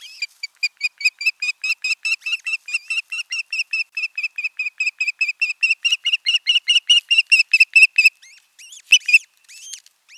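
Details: Osprey of a breeding pair at the nest in Satakunta, Finland, on 6 June 2023, the two alone together for the first time; a fast, steady run of loud chirping whistles, over two per second, ending in a few looser notes.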